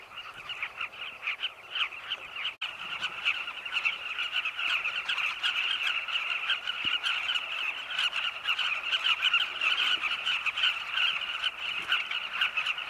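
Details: A sunset colony of Carmine bee-eaters in Zambia, flocks flying around cliff-side nest tunnels while hunting insects for their young. A continuous, loud wall of rolling, grating calls from many birds, with one brief click.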